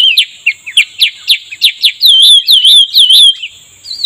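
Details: Cucak rumbai tungging answering a lure while being trapped, a fast series of sharp descending chirps about four a second, then wavering whistled notes rising and falling, all high-pitched, with a steady high tone behind.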